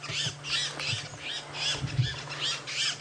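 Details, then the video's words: Buffalo weavers at a lion sighting on a late-October sunset safari drive, Djuma Game Reserve area, chatter in harsh, squawking bursts, several notes a second in loose clusters, over a low vehicle engine hum. "My goodness, those buffalo weavers are making all sorts of noise."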